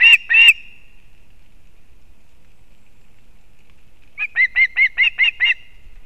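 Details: Osprey at a nest in Kurzeme, Latvia, 31 August 2024, with the female arriving with fish for the chick. Two harsh, loud notes open, then a long pause, then a quick run of about seven whistled chirps.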